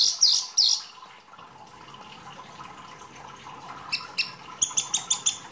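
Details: Wambi, an uncommonly kept songbird, delivering masteran song: two shrill bursts, a soft murmuring stretch, then a quick run of six sharp high notes over a hissy background.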